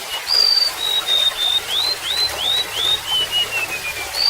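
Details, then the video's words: Golden-bellied gerygone song set against gently trickling water: a long high whistle followed by a cascade of about eight slurred notes stepping steadily downward, then a fresh high note starting again. "SUARA BURUNG REMETUK LAUT"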